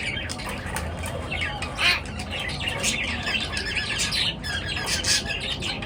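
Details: A morning chorus of chirping birds, busy and overlapping, with scratchy squawks and short notes forming a continuous chatter above a low steady background noise.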